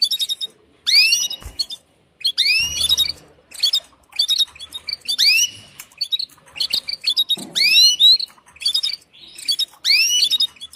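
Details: Mating call of a female canary summoning the male: repeated bursts of chirps, each led by a loud downward-sweeping whistled note, coming roughly every second with brief silent gaps.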